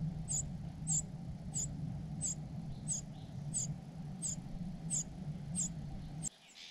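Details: Cuckoo chick with its foster parents gives regular, shrill high squeaks about every two-thirds of a second over a low rumble, which ends abruptly near the close.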